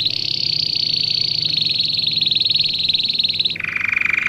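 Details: Domestic canary song used for training young birds: a long, fast, even trill held high for over three seconds, then dropping abruptly to a lower rolling trill.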